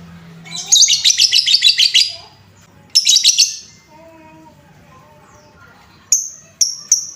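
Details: Lovebird sounds used to excite other lovebirds: a fast rattling series of about ten shrill chirps, a shorter burst, then three thin high whistled notes, with soft tonal sounds in between.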